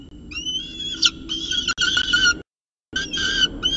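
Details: At the CSU Orange nest on 2 November 2018 at 9:53 am, a peregrine falcon with a second meal gives strident, rising and sliding high calls in quick bursts, with a short silence midway.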